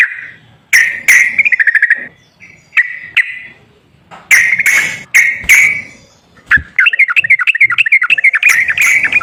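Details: Sooty-headed bulbul lure song for a quiet bird: bursts of whistled notes with sharp clicks, pauses, then a fast wavering trill of rapidly repeated notes to the end.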